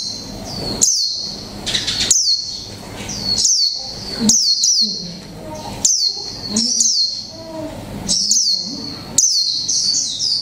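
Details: One-month-caged mộc tinh Japanese white-eye in "líu pha chòe trống" song: high, squeaky slurred phrases repeated roughly every second or two, each a quick bright flourish, over soft low background noise.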